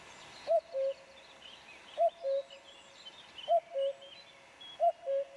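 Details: Male common cuckoo singing after returning to its native land, calling to a female: clear two-note cuckoo, a higher note falling to a lower one, repeated four times about every one and a half seconds, against a quiet rural background.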